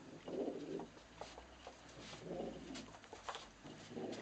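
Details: Male pet pigeon guarding his nesting area against an intruder, giving three deep, throaty coos roughly a second and a half apart, with faint rustling and taps between them.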